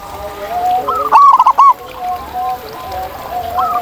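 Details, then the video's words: One short burst of quick, warbling coos from a wild zebra dove rises above softer overlapping cooing from other doves. "Masteran Kutut di Alam Ini Bikin Burung Kamu Kaya Bersuara Emas!"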